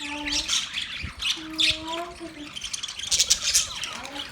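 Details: Budgerigars chirping: a dense, continuous wash of high scratchy chirps and chatter, with a few lower drawn-out wavering tones sliding in and out underneath.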